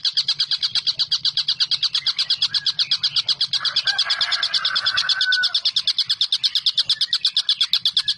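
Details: Chattering collared kingfisher, a tengkek buto recording meant for training songbirds such as magpie robins: rapid, evenly spaced harsh notes about three per second, with a lower warbling bird briefly heard in the middle.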